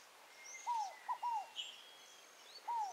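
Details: A scaled dove in the wild at Tupi Paulista, São Paulo, Brazil, gives a three-part phrase of soft, hollow, down-slurred coos, the second note clipped short, then starts again; faint high chirps of other birds behind.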